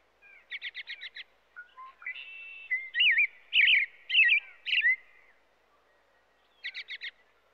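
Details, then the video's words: American robin singing: a quick burst of five sharp stacked notes, then a string of clear, warbled caroling phrases rising and falling, ending with another fast five-note burst; quiet background. "American Robin sounds | American Robin singing"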